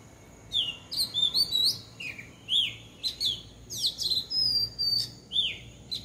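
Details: Bulbul at a house roof uttering clustered, rich whistled chirps and rising-falling notes, bursts separated by short gaps, faint low hum beneath.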